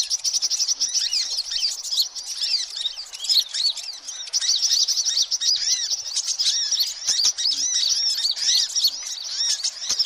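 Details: Lure track of busy sunbird calling: an unbroken stream of sharp, high, tinny chirps and looping twitters layered over one another for ten seconds.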